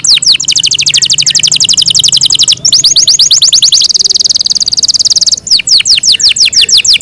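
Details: Yorkshire canary singing at home in a long melodious run of rapid repeated descending notes, a brighter buzzy trill in the middle, then slower swooping whistles.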